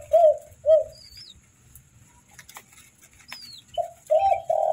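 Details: Young spotted dove chicks being hand-fed: low, hoarse, buzzy notes in short bursts, a pair at the start, then silence, then three quick bursts near the end, with faint thin squeaks above.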